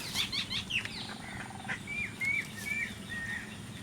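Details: Mynas in the evening among grass in a village give a jumble of harsh chatters and squeaky notes, then a run of short whistled slurs near the end, over a low background hum.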